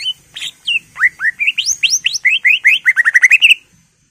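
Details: A greater green leafbird's full, varied song, used as a lure or tutor for other leafbirds: about twenty loud, clear whistled notes, mostly upslurred, speeding into a fast run near the end.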